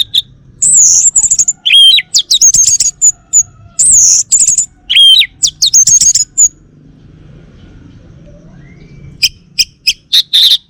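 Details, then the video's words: Male orange-headed thrush, Bali type, kept caged, delivering a dense, varied song of high whistles, sharp ticks and quick trills for about six seconds, then a quiet spell before a few more rapid chips. "Kicau Burung ANIS MERAH Bali Jantan"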